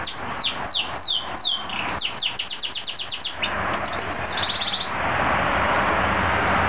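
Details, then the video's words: Pet canary in full song, a strong whistler: a run of clear, downward-sweeping whistles speeding into a fast rattling series, then a brief steady trill, over constant road traffic noise. "canary in full song"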